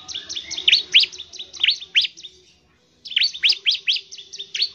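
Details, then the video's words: Bar-winged prinia, locally ciblek, giving its fast gacor song to encourage other birds to sing: high, sharply falling chirps at roughly three to four per second, interrupted by a short silence. "CIBLEK GACOR, NEMBAK NGEBREN UNTUK MEMANGGIL CIBLEK CEPAT BUNYI GACOR"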